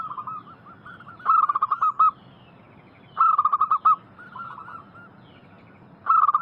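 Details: Local zebra dove song used as a lure to make wild doves answer: loud bursts of rapid staccato coos, each about a second long, repeating roughly every two to three seconds, with softer answering coos from other doves between them.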